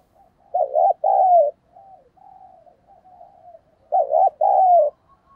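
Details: Spotted dove in urging 'thúc giọng' voice, a lure for drawing wild doves close: two loud double coos about three seconds apart, short note then drawn-out falling note, with soft murmured cooing between.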